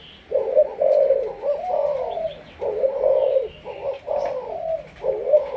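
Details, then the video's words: Malaysian-bred spotted dove, a captive decoy bird, delivering mellow, husky coo phrases of two to three notes, steadily repeated with brief silences between. "Cu gáy Malaysia"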